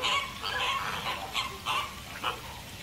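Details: American flamingo giving short, nasal honks and yelping notes in quick bursts, fading slightly toward the end.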